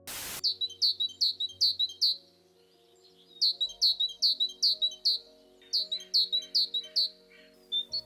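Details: Eurasian blue tit from Ukraine, a bird with dozens of different signals to warn of danger: thin, high, sharply falling notes repeated about two and a half times a second in three runs of about six, over soft background music.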